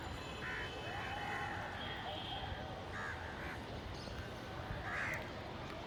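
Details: Village crows squabbling for food give short harsh caws in uneven bursts, a few spaced seconds apart, against a constant noisy outdoor background.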